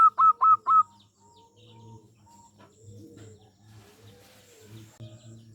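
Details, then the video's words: Local zebra dove calling as a lure to make other birds answer. Four quick, clear, bright notes come in a tight row. A soft low hum and faint murmuring background follow. "Perkutut lokal gacor suara kecil topcer ampuh untuk pancingan bikin nyaut"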